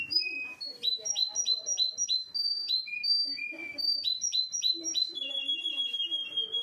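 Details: Canary singing a bright, rapid song: high clear notes repeated in quick series, sliding steps between pitches, ending in a fast, even trill, with softer low warbling notes underneath.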